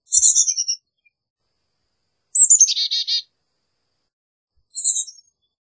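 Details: Carolina chickadee calling: thin high descending notes, then a burst of rapid buzzy, harsh dee notes, and another short high thin phrase near the end, with quiet gaps between; no other sounds.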